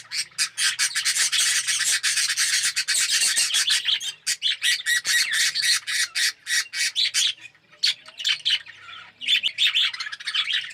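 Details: Budgerigars, described as Australian red-eyed budgies, calling together in an aviary colony setup of yellow birds; dense, continuous chirping and squawky chatter from many birds, brief pauses near four and eight seconds.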